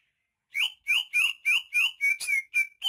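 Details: Native Banyuwangi greater green leafbird (cucak ijo), described as rare, gives a rapid series of ringing whistled notes with buzzy overtones, about eight in under three seconds, evenly spaced.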